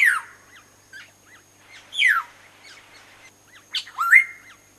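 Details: Black-naped oriole at a nest feeding chicks: harsh, nasal descending squawks at about two-second intervals, then a rising note that levels into a held tone. Soft, quick V-shaped chirps repeat throughout between the louder calls.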